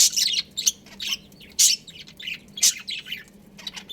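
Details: Pet budgerigar breeding pair producing spaced, scratchy high chirps, roughly one strong note a second with softer twitters in between.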